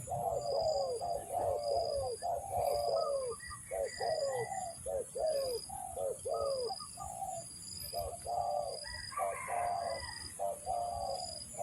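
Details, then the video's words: Spotted dove (tekukur) heard at a trapping site, producing repeated low, throaty coos in steady sequences about once a second, with a faint higher chirp and a persistent high pulsing tone. "mikat burung tekukur, mikat burung derkuku."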